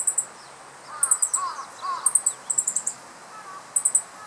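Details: Male Meadow Bunting perched on a dead branch in riparian forest, Japan, mid-July 2015, calling loudly in alarm at the observer after catching and swallowing an insect: sharp, very high ticking notes in quick clusters of two to four, about every second, over faint lower chattering from other birds.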